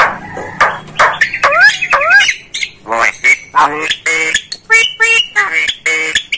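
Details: Javan myna song as tutor material for training caged mynas: loud harsh squawks and nasal, harmonic notes in rapid irregular bursts, with two clear upslurred whistles early on.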